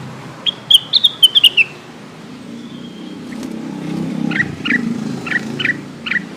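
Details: Lesser green leafbird calling to companions as a lure sound: one fast run of high whistled notes stepping downward, then after a pause a row of softer short chirps over a low rumbling background.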